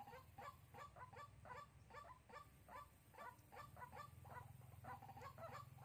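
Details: White-breasted waterhen on a trapping lure recording, Soc Trang, Vietnam, 2 February 2021: quick, slightly irregular series of croaking notes over a strong low hum.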